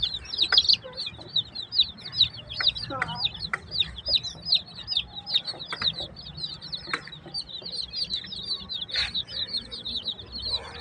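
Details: A flock of chicks keeps up constant high, thin peeps, quick downward-sliding cheeps from many birds at once, with a few louder cheeps standing out and faint low noises beneath.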